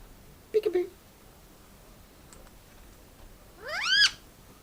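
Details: Pet male Indian ringneck parakeet playing with its owner indoors: a brief low muttered sound, then after a quiet pause one loud, harsh squawk that rises steeply in pitch.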